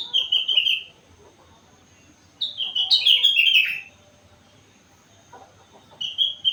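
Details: Sooty-headed bulbul, four months old, singing rengganis and cucak wilis imitations: a short falling whistle, a pause, then a longer loud warbled phrase dropping in pitch, and another whistle beginning at the close.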